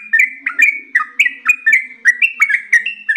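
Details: Yellow-vented bulbul (trucukan) singing in energetic gacor style, a long nonstop ropel panjang: bubbly whistled two-note phrases bouncing between rising and falling tones, about three per second, over a faint low hum.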